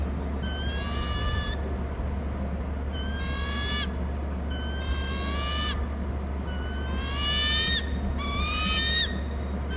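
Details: Bald eagles exchanging calls between their nest and territory on Hornby Island, caught by a camera: five groups of rapid, high, chittering whistled notes spaced a couple of seconds apart, with low mechanical hum throughout.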